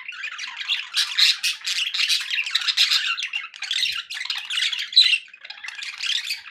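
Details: Several pet budgerigars in a happy mood, chattering nonstop in dense, scratchy warbles and squawks, high-pitched and overlapping, with louder bursts around the first and second seconds; indoors, no other sounds.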